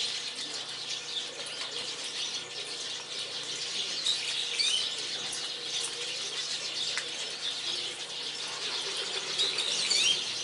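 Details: A flock of Japanese waxwings crowding a withered persimmon tree in a garden gives thin, very high, hissing trills that blur together from many birds, with faint wingbeats.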